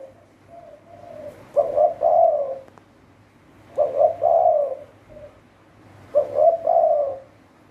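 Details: Decoy Spotted dove used in trapping, delivering three hoarse coo phrases roughly every two and a half seconds, each introduced by a faint soft coo and ending in a drawn-out, slightly falling note.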